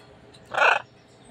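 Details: Pet macaw calling early in the morning; a single loud, harsh, raspy squawk lasting about a quarter second in a quiet room.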